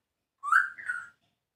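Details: Talking grey parrot mimicking Punjabi words. Two joined, speech-like tonal syllables, the first rising and bright, the second flatter, in a quiet room.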